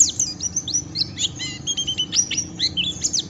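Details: White-eye singing a harsh ngeriwik, a song that goads rivals into singing back: rapid high twitters, sharp downward flicks and short buzzy notes in an unbroken chatter above a soft low drone.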